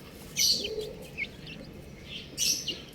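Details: Buff-coloured domestic chicken chicks give high, thin, sweet chirps in short clusters, with a louder burst at the start and another near the end. Softer lower peeps are heard between them.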